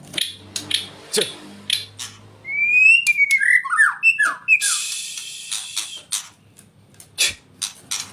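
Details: White-rumped shama song: a quick phrase of clear whistled notes that slur up and down, followed by short sharp ticks and clicks spaced irregularly.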